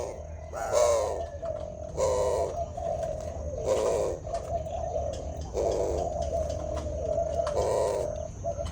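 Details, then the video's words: Mating spotted dove giving repeated low coos in phrases a second or two apart, broken by sharp broad bursts of noise, over a steady low hum. "Burung Derkuku Kawin"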